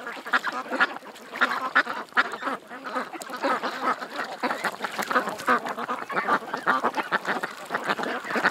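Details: At a creek, a group of ducks keeps up a steady stream of overlapping quacks, some brief clear high notes showing through the chatter.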